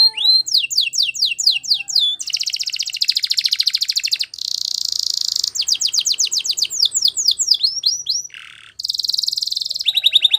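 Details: Spanish Timbrado canary champion song: cascades of steep descending strokes, long dense buzzy rolls, a short low hollow phrase, and crisp rattling trills in quick succession.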